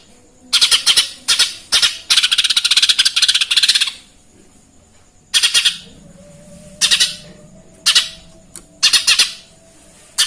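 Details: Lesser green leafbird in full song, imitating Eurasian tree sparrow: bursts of harsh, buzzy chirps, a long rattling run near the start, then short chirp groups separated by pauses of about a second. Steady faint background hum.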